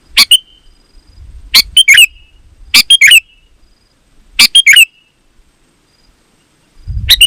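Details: Sooty-headed bulbul song for luring other bulbuls: sharp single notes alternating with quick two- and three-note chirpy phrases that end in a short ringing whistle, spaced roughly a second apart, with faint low rumble.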